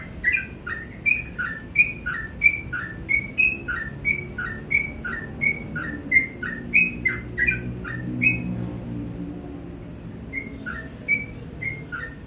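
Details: Sooty-headed bulbul singing in the morning, a long fast series of whistled high-then-low note pairs for about eight seconds, then a brief pause before a few more phrases resume.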